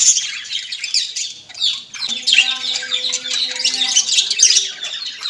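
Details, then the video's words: Budgerigars, called Australian parrots, keeping up continuous high, scratchy warbling and chirping, with a steady low droning tone sounding underneath through the middle stretch. "most beautiful parrots voice ll Australian tote ki voice"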